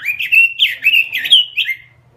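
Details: Caged robin singing vigorously in a small cage: a continuous, rapid run of bright whistled and warbled notes, twisting up and down, closing with a falling phrase and a short quiet tail.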